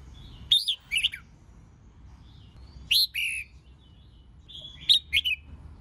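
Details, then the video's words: Female red-whiskered bulbul song played to stimulate male singing and voice practice; three clusters of rich, warbling whistles about two seconds apart, each of two to three slurred notes. "Kích Chào Mào Hót Ché [ MÁI KÍCH TRỐNG ]"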